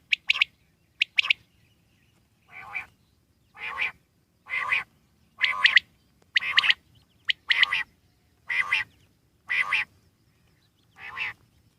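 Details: Common quail, wild: two quick sharp doublets, then a steady run of nasal, buzzy calls roughly once a second, some opened by a brief high click.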